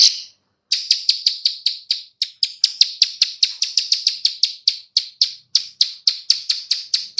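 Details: Plain prinia female clicking call, used to lure other birds. A long run of sharp, buzzy clicks repeated several times a second after one brief gap, steady and unbroken to the end.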